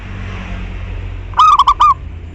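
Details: Zebra dove, a local Indonesian perkutut, played as a lure to make other doves start singing: after a quiet stretch, a brief burst of about four short, rapid cooing notes with a slight rising inflection, over low steady background hum.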